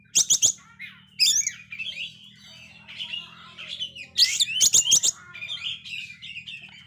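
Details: Oriental magpie-robin kept as a songbird, a male in failed moult described as singing very actively; loud sharp whistled notes and harsh buzzy bursts alternate with softer scratchy warbling, strong phrases near the start and again around four seconds, faint low hum beneath.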